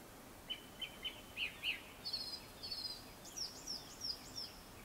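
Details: Japanese thrush song before sunset. A run of five clear whistled notes repeated evenly, then higher, sharper doubled phrases, ending in a fast series of bright repeated notes. Light background hiss.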